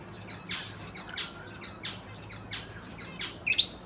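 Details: Breeding pair of lovebirds chattering with short, sharp chirps repeated roughly every third of a second, ending in two louder, shrill squeaks; faint low hum underneath.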